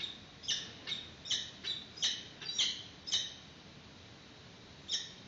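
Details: Peregrine falcons at a webcam nest in Santa Cruz, March 2019, with a yellow bird brought for the chick's first feed. Seven or eight harsh, clipped cries come about twice a second, then a pause and one final cry.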